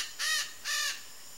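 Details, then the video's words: Red-shouldered macaw in Brazil's Pantanal, free in nature: two harsh, grating squawks, each about a quarter second long, rich and broadband, separated by a short pause over a quiet background. "CANTO da MARACANÃ-PEQUENA (DIOPSITTACA NOBILIS), RED-SHOULDERED MACAW"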